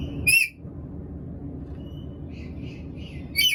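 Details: Two piercing, harsh screeches from a hungry black-capped lory, at the very start and the very end. Between them, faint thin whistles and soft chirps rise over a quiet low hum.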